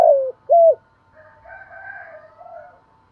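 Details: Tail of a morning decoy spotted dove coo, used to lure wild doves: the end of a descending rolling note and a short clipped note, followed by a soft higher wavering sound.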